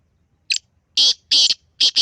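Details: Close black francolin call: a short scratchy introductory note followed by loud buzzing, rasping syllables in a quick chik-cheek-keray rhythm, the final note split in two.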